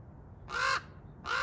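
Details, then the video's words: Common raven in a tree gives a harsh, hoarse croak lasting about a third of a second, then starts a second one a moment later; otherwise quiet. "Large black Raven 🐦‍⬛ bird making noises"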